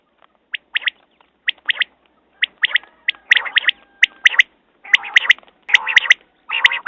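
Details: Quail beginning with soft, spaced high chips that grow into louder, ringing triplets and then mix with harsh, buzzy churring bursts.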